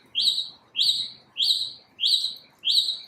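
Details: A lone unidentified bird singing in the morning: five identical clear whistled notes, each rising then fading, evenly repeated roughly every 0.6 seconds over a quiet background.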